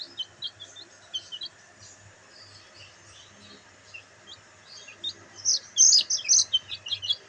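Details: Sunbathing black bantam chicks peeping: a few thin high chirps at first, then a louder burst near the end as several chicks call together in quick, bright, downward-slurred notes, over a quiet low hum.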